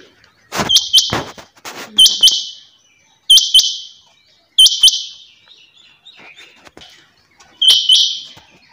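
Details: Calling female rain quail from Pakistan repeats harsh, high double notes, each fading quickly, in pairs at intervals of about one to two seconds. Some clicks and rustling noises come early on.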